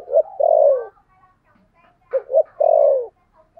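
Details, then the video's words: Spotted dove decoy with a 'thổ' style voice: two-note pickup and a long, mellow, dropping coo, a short pause, then the same pattern again. "Chim Cu Mồi giọng THỔ"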